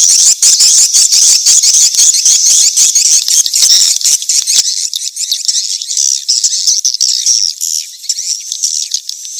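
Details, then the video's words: Swiftlets in a mating-chase call lure: dense, high buzzy chattering twitters layered over each other, busy and rattling at first, then thinning to a steadier high hiss of overlapping chirps. "SUARA PANGGIL BURUNG WALET‼️ SP KEJAR KAWIN"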